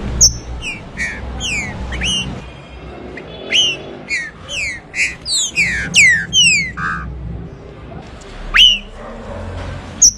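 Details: Song of a green-winged saltator, known as trinca-ferro: bright, ringing whistles sweeping down in pitch, delivered in rapid phrases, with a few short rising chips and a faint low hum behind.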